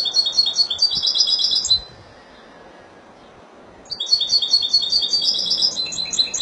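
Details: European goldfinch, Spanish, Málaga: a high twittering phrase with rapid liquid notes, then a two-second silence, then a second phrase of tinkling, chattering song.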